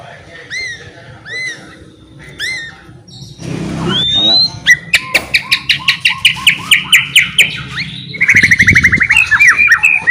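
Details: White-rumped shama's lively song, played to coax other shamas into singing: a few clear rising whistles, a noisy burst, then a rapid run of sharp repeated notes ending in a dense twittering trill.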